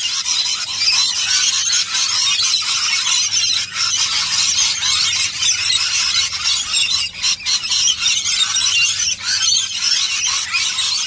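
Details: Rainbow lorikeet bathing in nectar at a feed, giving an unbroken stream of loud, grating, high-pitched screeches and squeals with rasping texture, barely pausing across the whole stretch.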